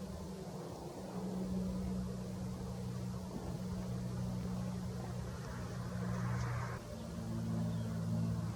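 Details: A droning engine hum with steady low tones holds throughout, with a brief rising whoosh before the seventh second and no animal calls.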